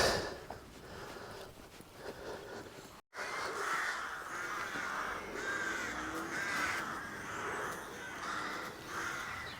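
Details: A noisy flock of jackdaws or crows building nests in trees in rural Ardcath village, County Meath, Ireland, keeps up a constant chorus of harsh, overlapping caws and chacks, with a brief dropout near the start.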